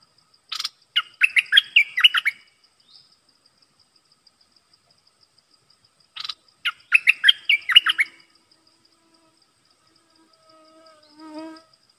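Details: Caged red-whiskered bulbul singing as a decoy to lure wild birds, recorded 12 September 2021: two bursts of quick, bright chirping notes, each phrase about two seconds long with a gap between, followed by a faint lower note near the end.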